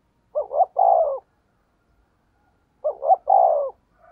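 A spotted dove gives low, soft coos: two quick notes, then a longer falling note.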